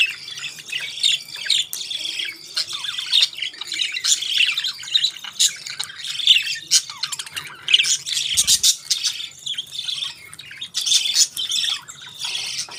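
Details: Budgerigars enjoying their favourite food give continuous chatter: dense, scratchy squawks and quick warbling chirps that overlap without pause, with short louder bursts throughout.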